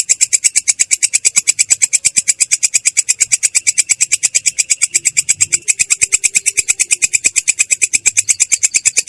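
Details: Long-tailed shrike in "ngerol" rolling song, clear and harsh: a quick, steady stream of grating notes, with a slight shift in tone about two-thirds of the way through before the rattle continues.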